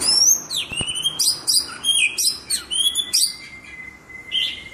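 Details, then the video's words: White-rumped shama in lively song: fast sequences of clear whistles, sharp high chirps and descending slurs, rhythmic bursts about every third of a second, ending with a long thin whistle and a final chirp. "murai batu gacor ciamik"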